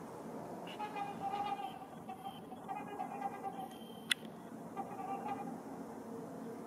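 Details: Two pairs of trumpeter swans on the ice of Rush Lake, waiting for open water and probably claiming a nesting spot, give nasal, horn-like honks in short bursts and overlapping phrases, over a steady hiss like wind or distant traffic.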